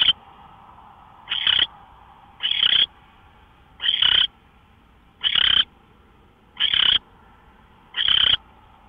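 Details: Owl at 5:27 AM on 24 March 2013 making repeated coarse, breathy screeches, about seven in nine seconds, each lasting around a third of a second and irregularly spaced, with a quiet continuous hum behind.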